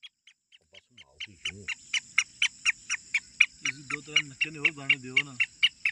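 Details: Grey francolin (teetar) in a muqabla contest recording, giving crisp high notes in an even series that grows louder, while a man's low voice talks underneath during the second half.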